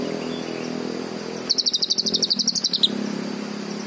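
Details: Green leafbird producing one fast rattling trill of over a second that dips lower at its end, with low traffic-like rumble throughout.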